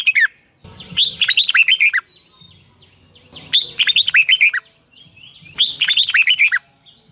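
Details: Red-whiskered bulbul singing its morning song, a long twisted double-voice phrase used as a training lure. Three bright, rolling whistled phrases repeat every two to three seconds, with faint low rustling between them.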